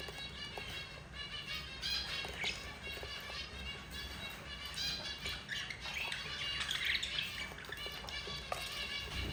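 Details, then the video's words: Yellow mother budgerigar feeding four babies, nonstop chirruping and grating squeaks, short notes repeated rapidly, swelling into a louder rasping cluster near the end. "yellow mother budgie feeding her four babies"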